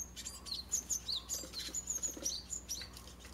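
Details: Japanese tit fledglings leaving a garden nest box near a mountain village, parents attending six chicks; rapid high thin chirps and downslurred tweets repeating across the clip.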